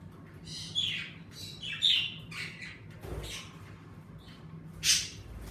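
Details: Pet budgies in a bird room, active with the warmer weather, give scattered warbling chirps and a sharp squawk near the end, with a soft thud midway and a low room hum.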